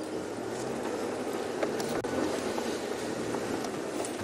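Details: Steady engine rumble and broadband hiss at sunset in Sabi Sand on 17 May 2016, with a brief click near the middle and no animal voice.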